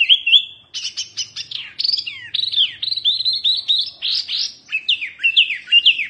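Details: Oriental white-eye singing in the fierce 'wambi mini' style, meant as a tutor recording: rapid, chattering run of bright twitters, slurred whistles and short trills, phrases tumbling together with brief pauses, no other sounds.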